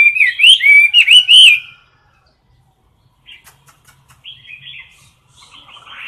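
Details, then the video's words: Caged Chinese hwamei in competition singing: a loud burst of looping whistled phrases, then near silence with faint ticks, then quieter, scratchy warbled phrases. "Mi mơ hót đấu cực "Đỉnh""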